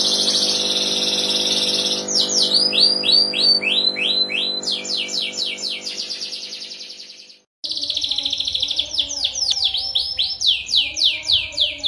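A canary sings a loud, rapid song of bright trills and quick descending whistled sweeps, broken by a brief pause, with a faint steady hum underneath.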